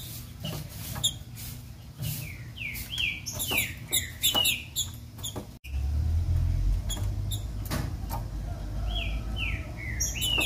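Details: Female green-winged saltator singing, a call meant to excite a male into song: short down-slurred whistles in loose runs, several in quick succession, with sharp clicks and a steady low hum underneath.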